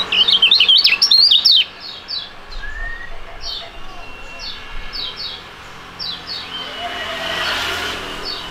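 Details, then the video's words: Two young caged songbirds, described as fighting-type competition birds, sing a duet. A loud burst of rapid, high, twisting whistled notes opens, then fainter repeated chirps over a steady background hiss. "STORING DUET PRUGUT DUA BURUNG MUDA YANG SANGAT ISTIMEWA"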